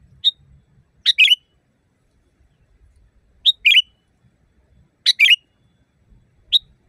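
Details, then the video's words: Sooty-headed bulbul sings loudly in natural style, a recording meant to train caged birds. A short high note is followed by a quick doubled, burry whistled phrase, repeated roughly every two seconds. "Masteran burung kutilang di tempat raja kutilang. Suara keras fulll alam"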